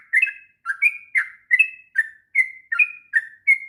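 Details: Sooty-headed bulbul singing long 'ngropel' phrases for young birds to learn: clear whistles about three per second, paired notes, one sliding down, the other level, in a clean quiet recording.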